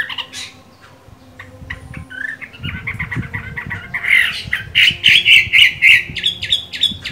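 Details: Caged Chinese hwamei during moult: quiet scattered chirps and clicks build into loud, rapid, repeated whistled notes over the last three seconds.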